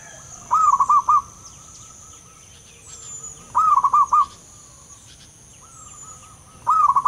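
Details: Local zebra dove in the wild, with a deep, long rolling song: a burst of four or five quick, bubbling coo notes about every three seconds, softer trailing coos in between, over faint high chirps and steady hum.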